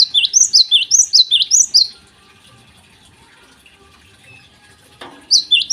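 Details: Java sparrow in vigorous morning song, used to prompt untrained birds to sing: a two-second torrent of rapid, high, sharp chirps, then near silence with a brief clatter, and a final short burst of notes.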